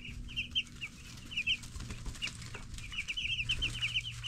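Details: Group of 10-day-old broiler chicks chirping in lively bursts of sharp, high, repeated cheeps, thick clusters at the start and again at the end, over a low hum.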